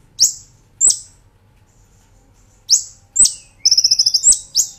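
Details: Kolibri Ninja, the brown-throated sunbird, sung as a master track for training caged birds: two piercing high chirps, a pause, then more chirps and a quick buzzy rolling trill near the end.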